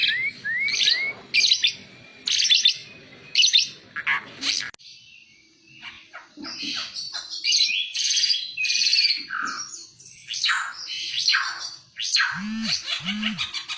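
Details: Oriental white-eye master song for training other birds: bursts of sharp twittering and upslurred whistles, a brief pause, dense chattering warbles, and two low hollow hooting notes near the end.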